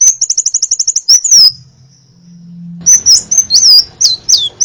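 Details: Crimson sunbird, varied tutor song for training birds: a rapid high trill of about twelve notes, a silent gap with a low hum, then sharp high chirps and slurred whistles.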